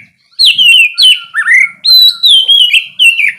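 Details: Oriental magpie-robin singing in the loud open ngeplong style, played in the morning to spur lazy birds into song: a string of clear whistled phrases that slide downward, each about a third of a second, with brief gaps between.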